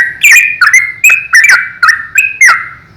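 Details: Yellow-vented bulbul singing vigorously, the recording meant as a tutor song for young bulbuls. Bubbly whistled notes with sharp onsets tumble out in quick succession, about seven in three seconds, over a faint background murmur.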